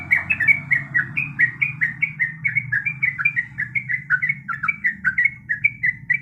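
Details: A female yellow-vented bulbul in breeding condition calls to a male with rapid, evenly spaced, gurgling notes that rise and fall slightly. A faint low drone sounds underneath.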